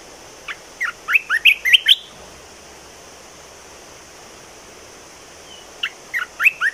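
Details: Red-whiskered bulbul singing a new song phrase: two bursts of quick, rising, whistled notes, about six notes each, separated by a few seconds of quiet with steady background hiss.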